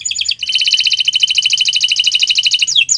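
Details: On a Friday morning a canary delivers a continuous fast trill of rapid buzzy notes for over two seconds, closing with a quick falling slur.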